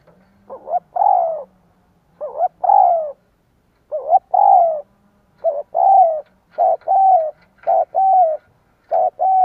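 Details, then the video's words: Spotted dove cooing to lure wild doves: a quick run of about ten hollow coo phrases, each a short rising note then a longer falling coo, with a faint low hum beneath. "Tiếng cu gáy kích bổi cực nhạy / CU gáy thúc gù gáy đủ bài kích bổi cực nhạy"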